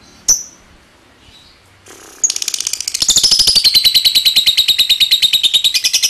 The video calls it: Suara LoveBird Ngetik Ngekek Panjang Terbukti Ampuh Pemancing Love Bird langsung Ikut Ngekek